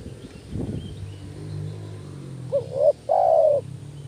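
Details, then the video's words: Spotted dove call for luring doves: a low rumbling noise first, then a single phrase of a short upward-hooked coo and a drawn-out, slightly descending croo. "panggilan tekukur males bunyi kuk 1 tekukur anda jadi kepanasan"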